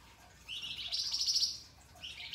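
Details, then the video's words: Pied triller singing energetically for a masteran recording: a single rising, buzzy, grating phrase of about one second, followed by the start of another rasp. "Top Masteran Flamboyan Gacor Dor Ngebren, Mbeset Kasar dan Nembak Tajam Suara Kristal"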